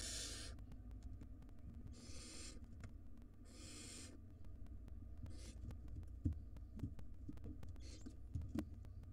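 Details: Barn owl nestlings at the nest during a food shortage after a long storm, with the older chicks taking most of the prey. Three loud, harsh, hissing bursts in the first five seconds, then fainter ones, over a steady low hum and clicks.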